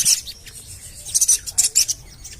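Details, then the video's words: Javan cochoa calling, used to coax birds into singing: a brief series of harsh, very high chirps, one burst at the start and then four quick ones close together. "CUIT...CUIT...CUIT PANGGILAN SOGON AGAR BUNYI"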